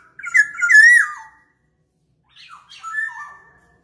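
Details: Black-naped oriole lure recording: a loud, fluty whistled phrase that rises and wavers, then drops, followed after a pause by a shorter, softer whistled phrase with a falling end.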